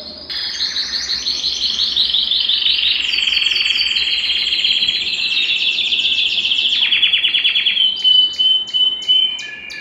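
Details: Belgian canary song used to stir other males to sing and bring females into breeding condition: continuous rolling high trills and fast repeated notes shifting in pitch, ending with sharp separate chips and a thin whistle.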